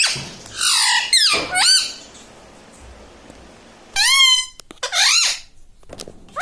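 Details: Pet parrot that talks like a human, recorded inside a small room: two rough, wavering syllables, a quiet pause of two seconds, then two more strained, downward-sliding voice-like sounds.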